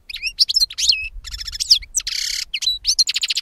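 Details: European goldfinch song used for capturing birds: a dense, continuous medley of tinkling twitters, slurred falling notes, a harsh nasal buzz and rapid trills.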